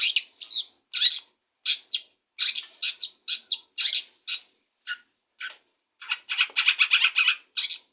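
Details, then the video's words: Morning song of a Long-tailed shrike just out of its bath: quick sharp chirps and whistles, a brief pause, then a fast buzzy rattling trill of lower notes ending in a bright chip. "cendet ekor bondol baru mandi langsung tarik suara"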